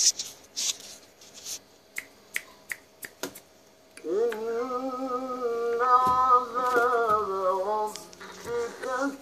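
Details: A breeding grey parrot in Egypt gives a long, nasal, droning call that rises briefly, then holds steady for about four seconds, after a run of sharp clicks and taps.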